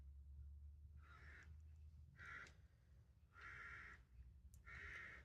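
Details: Carrion crow gives four harsh, drawn-out caws, each about half a second long and spaced roughly a second apart, heard quietly over a low background rumble.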